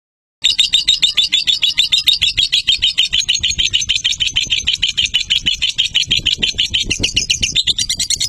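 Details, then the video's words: Lovebird in long-duration chattering song, a dense rapid stream of buzzy high chirps repeated several times a second, steady for about eight seconds with a faint low hum indoors. "Lakbet Durasi TOP Love Bird Joss"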